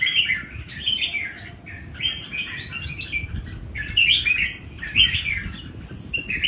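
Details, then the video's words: Three old wild-caught red-whiskered bulbuls in a singing contest: bright warbled phrases overlapping one another in quick bursts, over a steady low background rumble. "3 CHÀO MÀO BỔI GIÀ ĐẤU HÓT CỰC ĐỈNH"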